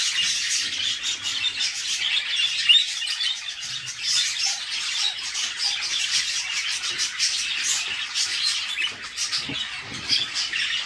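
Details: Budgie nestlings fed by the female in a nest box; a steady, dense wash of scratchy, high squeaks and chirrs without breaks, fairly even in loudness.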